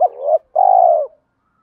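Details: Two loud purring coos from a spotted dove, the first short and sliding, the second long and pulsed, from a recording used to stimulate other doves to coo.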